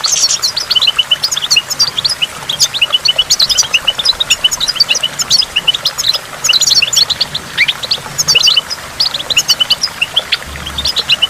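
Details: Recorded by a waterfall with water drops to stimulate goldfinches, a long, lively goldfinch song of rapid chirps, tinkles and twitters, high and unbroken, over gentle running water.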